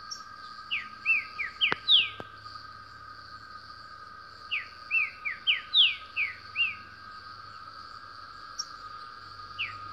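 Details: A Green-winged Saltator (Saltator similis, trinca-ferro) sings in the wild: quick bursts of clear, slurred whistles, two rapid phrases several seconds apart, over a steady insect drone.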